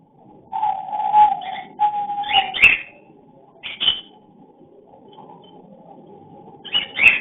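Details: Breeding cockatiel giving its mating call, caught by a hidden camera: a long level whistle, then rasping screechy chirps in clusters, with a low background murmur.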